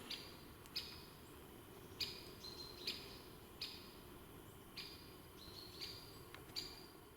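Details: Hazel grouse singing in an autumn forest while mushrooms are picked, at first fairly far off, then very close, giving thin, very high whistles in short bursts with a few drawn-out notes, over a soft low forest hum.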